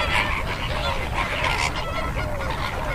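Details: Greater flamingo flock: dense, overlapping goose-like honks and nasal gabbling, with many calls layered at once and no clear pauses, over a steady low rumble.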